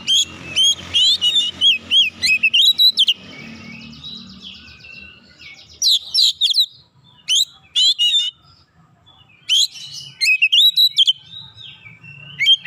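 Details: An oriental magpie-robin, stirred by another magpie-robin, sings with open beak: a rapid series of repeated whistled notes, a buzzy interlude, then scattered bursts of loud, clear phrases to the end.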